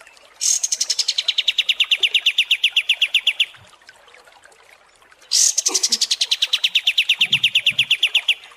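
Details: Kapas tembak songbird, from long masteran training audio for competition birds: two sustained high trills of about three seconds each, made of fast evenly spaced notes. Each opens with a brighter, higher burst and is separated by a brief pause.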